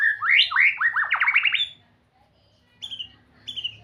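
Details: Rich, varied white-rumped shama song: a fast run of rising and falling slurred whistles that swoop up and down, then a pause and two short, high whistled notes.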